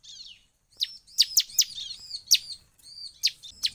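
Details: A bar-winged prinia gives a lively song that sets other prinias singing. Loud, high, downward-sweeping chirps arrive singly and in pairs at an uneven pace, about one per second.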